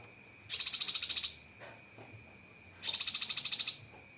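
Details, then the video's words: Sharp 'tembakan' fill-ins from a Cucak kinoi masteran: two bursts of fast, evenly pulsed shrill trill, each under a second long, separated by a quiet gap. "Masteran Burung Cucak Kinoi Full Isian Tembakan Pedas"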